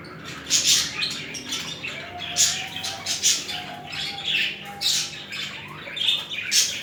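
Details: Budgerigars courting and mating give harsh, high squawks in separate bursts about every second or two, with a soft, thin, drawn-out whistle between them.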